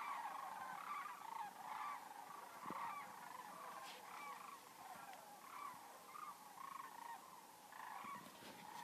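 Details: A huge flock of sandhill cranes on seasonal migration in Denali National Park, Interior Alaska, gives a continuous chorus of overlapping rolling, trumpeting rattles, mid-pitched and rising and falling, over a faint steady background hiss.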